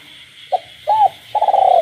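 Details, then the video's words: Captive spotted dove calling at night in a village setting: a brief note, a smooth arched coo, then a long vibrating rolled coo. A constant high-pitched frog chorus fills the background. "cu gáy trong đêm, cu nuôi avi gáy ban đêm hòa cùng tiếng ếch nhái"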